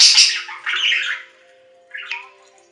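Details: Budgerigar giving a loud, scratchy squawk that fades out, then a short silence and a quieter, buzzy chirp.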